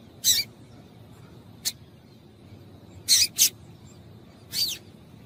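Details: Female double-collared seedeater calling to stir a male to sing: scattered sharp, high, clipped chips, one single, then a close pair, then a slightly longer slurred note, with quiet gaps between.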